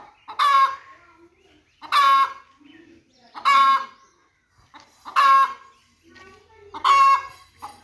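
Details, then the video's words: Loud, squawking hen cackles, each a buzzy harmonic burst, repeated evenly about every one and a half seconds, with quieter low clucking in the gaps and a faint hum near the end. "chicken song part 1#chicken sounds #hen sound#"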